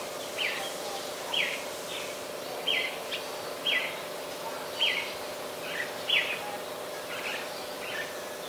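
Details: Adult red-whiskered bulbul recorded 3 January 2021 at Ubon Ratchathani, Thailand: a series of short, sharp chirped notes repeated roughly once a second, fairly quiet against constant low droning background noise.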